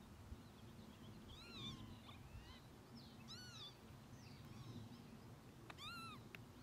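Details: Northern lapwing (Vanellus vanellus) at Ljubljansko Barje, Slovenia, on 7 June 2024, giving three wheezy, arching mewed calls about two seconds apart, over a steady low rumble of wind.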